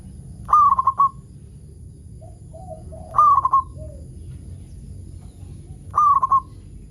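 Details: Local zebra dove singing, played as a lure so other zebra doves start calling: three rapid, rolling cooing phrases of clipped notes, evenly spaced about two and a half seconds apart, with soft lower whistles in between and a faint high hum.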